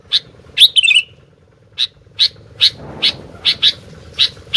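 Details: Sooty-headed bulbul in constant song. An opening downward-slurring warble is followed by a series of single sharp chirps spaced about half a second apart. A soft low hum and a brief rustle sit in the background.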